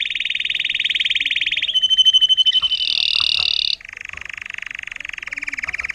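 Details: Intensive yellow agate topaz Timbrado canary, a tutored 2018 bird, delivers a fast high rolling trill, brief whistled notes, a buzzy mid-pitched stretch, then a lower, steady, water-like roll.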